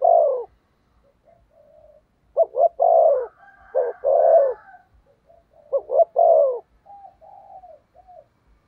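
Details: Thúc gù cooing from a decoy spotted dove used to attract wild doves: three loud phrases, each two clipped notes and a long, slurred, downward coo, separated by faint soft murmurs.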